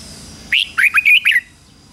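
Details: Decoy red-whiskered bulbul singing to call wild rivals in to fight: one short, loud phrase of five bright, warbling notes, the first higher and the rest dipping and rising quickly, lasting under a second.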